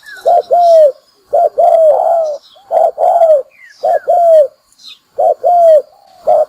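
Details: Spotted dove call used as a lure for trapping birds: paired low coos, a short note then a longer down-slurred one, repeated in bursts with brief pauses; faint thin chirps from other birds above.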